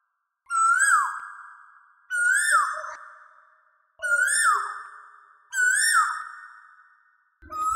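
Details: Asian koel song: loud, clear whistled notes, each sliding up and then held as it fades, repeated about every one and a half seconds.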